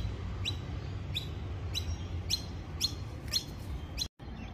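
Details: A Rainbow lorikeet met close up in Australia gives sharp, high, downward-sliding chirps, about two a second, over a steady low rumble of background noise.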